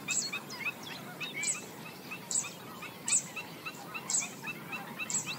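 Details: Yapping from black-winged stilts feeding along a swamp bank: abrupt, harsh barking notes repeat roughly once a second, with fainter chattering calls scattered between them.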